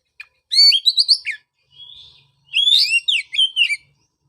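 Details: Oriental magpie-robin song used to restart singing in a bird silent after its moult: two dense bursts of whistled, rising and falling notes separated by a soft steady whistle.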